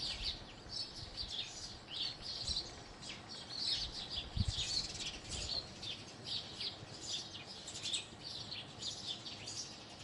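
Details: Ten seconds of house sparrows chirping together, a steady flood of short, high, overlapping cheeps with a few louder bursts, over quiet background noise.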